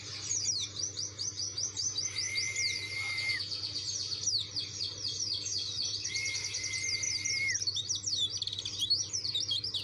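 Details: White-eye of the dakun type, singing insistently in search of a rival. High, rapid twittering runs, broken twice by a long, steady, lower whistle-like tone, with a faint low hum beneath.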